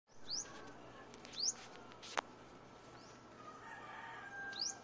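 Luzon sunbird giving three thin, high, quickly rising notes spaced a second or more apart, over a low steady hum with one sharp click.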